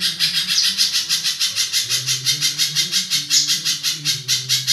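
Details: Continuous harsh chatter from a spiderhunter, whose rough voice is compared to a kingfisher's and prized for tutoring songbirds: coarse, rasping notes repeated nearly three times a second with little variation, over a faint low hum.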